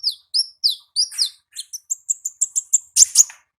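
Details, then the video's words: Ngalas-style song of a wild olive-backed sunbird: a few piercing slurred whistles, then a fast, evenly spaced run of short high notes ending in a dense scratchy burst. "Suara Asli Ngalas Konin Ninja di Alam Liar"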